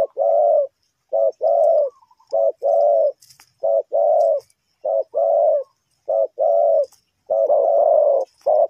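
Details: Spotted dove cooing as a trapping lure in Ninh Thuận. A steady run of about a dozen hollow coo notes in short-long pairs, evenly spaced, with a brief click or knock near the middle and faint high chirps behind.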